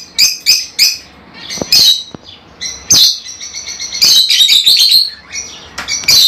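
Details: Lovebirds, small colourful pet parrots from Africa, giving piercing high chirps and squawks in rapid bursts, several overlapping into a dense shrill chatter near the end.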